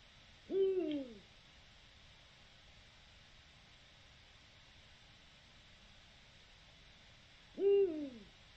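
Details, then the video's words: A Eurasian eagle-owl (Bubo bubo), recorded 7 October 2020, gives two deep, falling hoots about seven seconds apart, each under a second long, over quiet background hiss. "El canto del búho"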